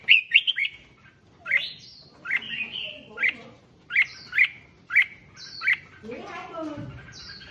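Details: Red-whiskered bulbul song played to excite other bulbuls: a run of bright, slurred whistled notes repeated roughly every half second to second, with some higher buzzy upsweeps, ending in a noisy rasping burst.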